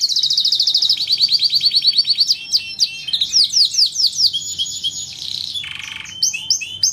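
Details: Canary song used as master training material for mynas and other songbirds: a fast rolling trill of high notes, then varied sharp chirps, whistled slurs and a brief buzzy note, delivered continuously and loudly throughout.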